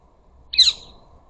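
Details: A single harsh, screechy squawk from a ring-necked parakeet at a bird feeder where flocks of up to a dozen gather, sliding downward at the end, against a quiet background.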